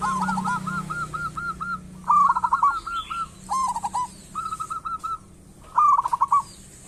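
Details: Local zebra dove singing, used as a lure to prompt other doves to sing: soft repeated coos, then several bursts of quick, rolling trilled phrases, with a faint low hum underneath.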